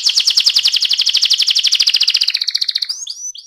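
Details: A fast rolling trill from an AF canary, a loud pulsing chain of rapid notes held for nearly three seconds, fading and then ending with a few high upslurred chirps.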